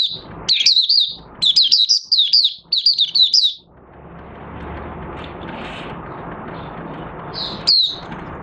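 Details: Oriental white-eye kept in a cage, singing openly on 25 August 2022 after a three-month open-cloth night routine. A lively run of rapid, high, warbling chips lasts over three seconds before fading to hum, with one late note.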